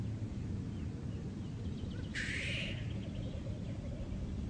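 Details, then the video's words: At a black grouse lek, a single loud, harsh hissing sneeze lasting about half a second stands out over a faint low bubbling chorus and background rumble. "Black Grouse Lek"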